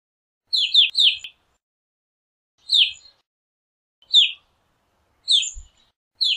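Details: Evening grosbeak repeating falling chirps, a double note first, then single notes about one and a half seconds apart, clean and unaccompanied.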